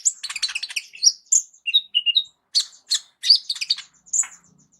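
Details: Indonesian 'kolibri ninja' sunbird with a full, varied song used to tutor other songbirds: fast scratchy buzzy bursts alternate with short clear whistled notes, some dropping and rising, in quick irregular succession.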